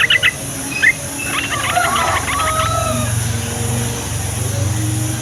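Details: Yellow-vented bulbul chatter meant to prompt other bulbuls, young males and females included, to call back. A few sharp notes open it, then a jumbled bubbly phrase comes through a loud low hum.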